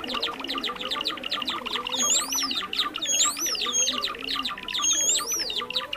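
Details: Trapping lure of Java sparrows, with busy, overlapping high chirps. Three clear, swooping whistled phrases stand out about a second apart in the second half.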